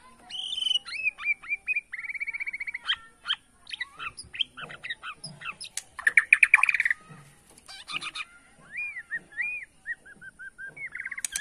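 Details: White-rumped shama of Borneo singing to rile opponents, bowing as it sings: rich mix of whistles, scratchy chatter and fast trills, ending in a series of clear looping notes.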